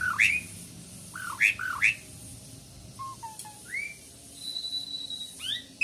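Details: Asian pied starling song: scattered whistled notes that dip then rise sharply, some lower short notes near the middle, and a thin steady high whistle toward the end over faint background noise.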